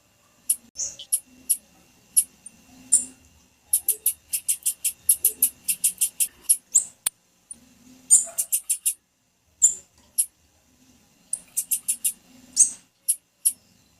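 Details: A female blue-black grassquit gives high, thin ticking chips in repeated rapid bursts separated by short pauses, with occasional louder slurred notes; the call is meant to stimulate males to sing.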